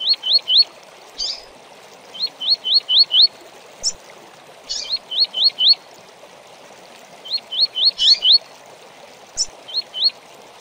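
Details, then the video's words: A double-collared seedeater sings a tui-tui tutor song for young birds to learn, quick runs of three to five high, clear rising notes broken by sharper single chips, over a steady hiss of running water; finding: Double-collared seedeater. "CANTO TUI TUI PARA ENCARTE!!! - Coleiro Professor Aprendizado"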